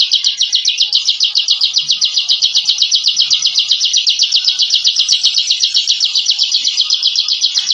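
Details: Ciblek, or bar-winged prinia, giving the tight 'ngebren' song used to intimidate rivals; a shrill, unbroken rattle of fast even notes starts abruptly and holds steady almost to the end.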